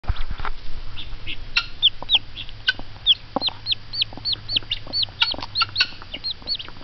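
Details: Mother hen clucking in excitement at peeps from hatching eggs: quick soft clucks mixed with high, downward-curving chick peeps repeating about twice a second, over a low steady hum.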